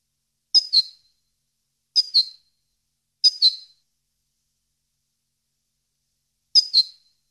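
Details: European goldfinch, recorded for training captive birds: sharp, high double chip notes repeated four times with irregular silent pauses between them.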